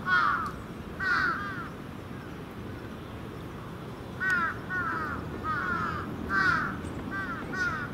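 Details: Roosting crows at Venus Terrace in the evening, young and adult birds mixed, give loud hoarse caws in clustered runs, several birds overlapping, with a quiet stretch in between and a low background drone.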